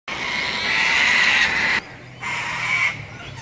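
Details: Sulphur-crested cockatoos at Robertson Park, St Lucia: a long harsh raucous screech lasting nearly two seconds, a short gap, then a second grating screech.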